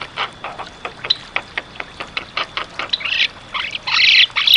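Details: Energetic black-winged starling song for masteran use: regular dry clicks about three per second, then loud broad raspy bursts toward the end, over a faint constant high-pitched hum.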